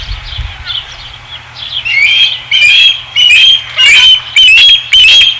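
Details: Osprey at a ranch nest, 5 August 2016; soft chirps at first, then loud, sharp whistled cheeps repeated about twice a second, growing insistent, with faint wing-like rustles.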